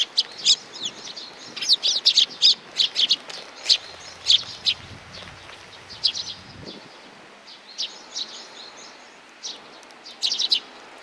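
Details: Sparrows coming for food on 15 May 2019 keep up a busy chatter of high twittering chirps, thick early on and thinning later, with a soft low rumble in the background.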